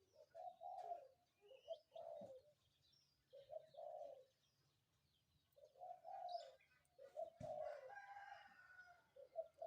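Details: Morning coos of a spotted dove at some distance, soft low phrases of short and longer notes repeated through the clip, amid faint chirps of other birds and background hiss.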